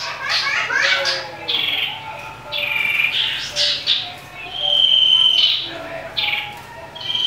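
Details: Agitated common iora singing aggressively in a fight, used as a lure: a quick series of scratchy chirps and short buzzy notes, broken by clear sustained high whistles, with brief pauses between phrases.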